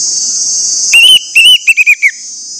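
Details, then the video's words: ['Orange-headed thrush song meant to spur other orange-headed thrushes to sing: a few clear whistled notes followed by a quick run of short descending whistles, over a constant high-pitched buzzing drone.'] "pancingan anis merah bikin anis merah lain cepat ngeplong"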